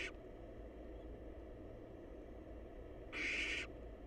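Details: Wild barn owl chicks in a monitored nest box, huddled together and waiting for their next meal, give a harsh, breathy hissing burst about half a second long. A clipped hiss opens the recording over a steady low background hum.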